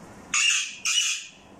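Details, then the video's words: Parrot giving two loud, harsh, high squawks, each about half a second long, back to back, with quiet room background between. "Talking Parrot | Parrot Talking"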